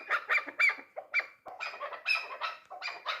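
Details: A three-year-old hunting chukar partridge gives harsh, broad chuck notes in quick uneven bursts, about three per second with a short break midway, loud and close, with no other sounds.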